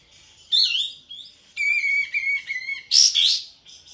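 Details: Sooty-headed bulbul in breeding condition, tail spread, singing energetically: a sweet warbled phrase, a long steady buzzy whistle, then a loud bright burst of chattering notes to close.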